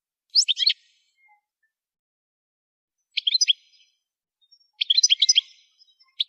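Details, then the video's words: Goldfinch in song training delivers three short bursts of bright, tinkling twitters separated by pauses of about two seconds, with no other sounds. "Song Goldfinch Training"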